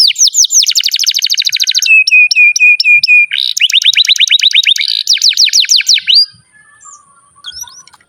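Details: Long, continuous canary song meant as a tutor for young birds and non-singing canaries: dense high trills, a run of level whistled notes, then a quick series of downward-sweeping phrases before fading to faint chirps.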